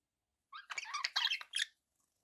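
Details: A brief squeaky burst of budgie warbling lasting just over a second, mixing thin whistled notes with rough chattering sounds, from pet birds.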